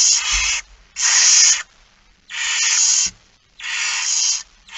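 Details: Hissing begging calls of a barn owl during a feeding, recorded 13 September 2019 at 06:57. Four long, harsh, breathy bursts come at roughly one-second intervals, with a faint low thud between.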